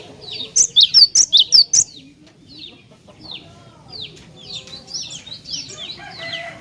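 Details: Cinereous tit song used to provoke other tits: six rapid, piercing two-syllable notes in a burst, followed by several seconds of soft, scattered downslurred chips.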